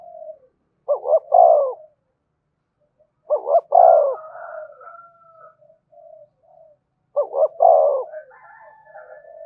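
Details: Luring coos of a spotted dove meant to make wild doves reply and come fast: three phrases about three and a half seconds apart, each two short notes then a long coo, followed by faint higher calls.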